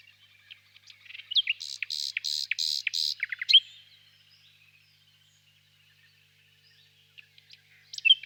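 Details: ['Warm spring evening in a birch grove with a nightingale singing far off: a few soft chirps, then a row of harsh buzzy notes mixed with sharp clicks, a quiet stretch, and sparse high chirps at the end.']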